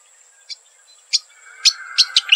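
Striated grassbird giving short, sharp high chips, spaced irregularly and quickening toward the end, over a steady thin insect-like whine.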